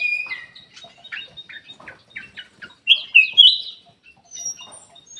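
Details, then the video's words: Golden-fronted leafbird singing a quick series of short, dry chipping notes, about four a second, then a loud burst of sweet warbled whistles with sharp slurred inflections, followed by quieter scattered chips. "KUTILANG EMAS \ CUCAK EMAS SUARA ASLI SUARA JERNIH"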